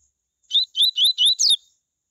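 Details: Tui tui song of a Double-collared Seedeater, played to stimulate other birds of its kind to sing. Five quick whistled phrases, each a short upward slur, ending with a steeper falling note, over a silent background.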